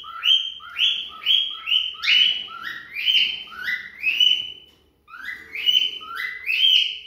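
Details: Cockatiel singing in a mating context, giving a rapid run of bright, upslurred whistles, roughly two per second, with a brief pause midway; no other sounds intrude.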